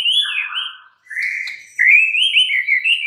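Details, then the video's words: White-rumped shama singing clear, varied whistles: a wavering high phrase, a brief pause, then a loud sustained warble with rapid slurred inflections. "murai batu BISU, STRES, MACET TOTAL bakalan NYAUT GACOR dan Kembali FIGHTER"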